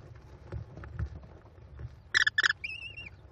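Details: American kestrel nest where a mother feeds five hungry chicks, Cornell, 18 May 2021; low background rumble, then two harsh, rasping squeals in quick succession followed by a thin, drawn-out whistle.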